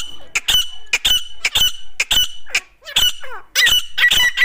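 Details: Grey francolins, a desi female and a dakni bird, fighting; harsh squawking bursts repeat roughly twice a second with a sustained high whistled tone between them, and a few softer sliding notes come midway.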